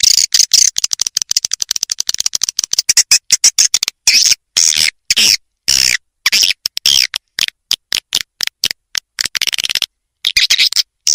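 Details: Edible-nest swiftlet attraction call used in bird houses for swiftlet farming: long stretches of very rapid high twittering and clicking, broken by brief silences, with fast chirp trains resuming.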